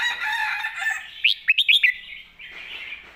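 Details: Caged red-whiskered bulbul singing a master-song style phrase: a quick run of four or five bright, sharply rising whistled notes, over a steady wash of other birds' chatter.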